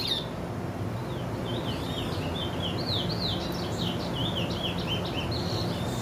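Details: Chestnut-bellied seed finch, barba branca type, heard singing a fainter stream of swooping whistled notes and chirps, partly masked by a persistent low rumbling background noise.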